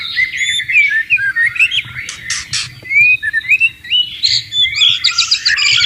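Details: White-rumped shama in the wild beside flowing water, singing varied whistled slurs and sweet rising notes between harsh buzzy bursts, ending in dense chattering.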